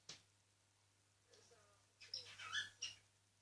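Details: Pet cockatiel whistling in the afternoon: a quick burst of thin, high chirping whistles over a faint low hum.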